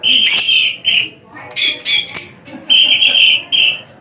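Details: Tame caged Javan long-tailed shrike in full vigorous song with many learned phrases: sustained strong whistled notes alternating with short scratchy bursts and gaps, loud and close.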